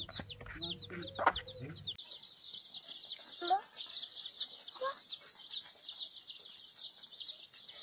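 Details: Chicks give a few loud, falling peeps, then many chicks join in a dense, continuous high chirping chorus. A few lower squeaky calls stand out from it.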